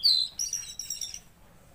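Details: Tledekan Laut bird singing actively: a loud, very high thin whistle followed by a quick run of sharp, high chirps that fade away over about a second.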